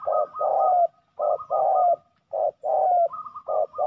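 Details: Male spotted doves battling at a ground decoy. A rhythmic run of short-then-long hollow coos, about one phrase a second, overlaid by a higher drawn tone partway through.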